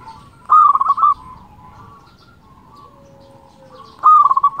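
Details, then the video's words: Actively singing local zebra dove, played to make rival doves sing: a loud burst of fast clipped coos at the start, a quiet stretch of faint background cooing, then a second loud stuttered phrase near the end. "Perkutut lokal gacor suara bikin lawan emosi belum satu menit di jamin langsung gacor"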